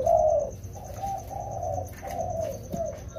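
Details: Rainy-season training of two wild-caught spotted doves: one loud low coo opens, followed by quieter, drawn-out hollow notes in a loose run, with faint background hum.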